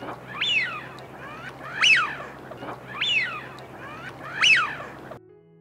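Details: Eurasian wigeon (Mareca penelope), a UK bird, gives four clear whistled 'wheeoo' calls, each sharply rising then falling, about every 1.3 seconds, over a faint low hum.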